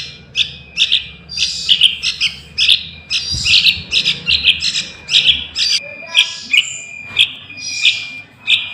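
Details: Young sooty-headed bulbul call used to lure wild bulbuls for trapping: rapid, busy series of sharp chirps and raspy bursts, nearly continuous and about one to two per second, with a constant thin whine behind.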